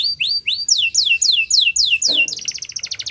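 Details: Canary; training song; training young canaries to sing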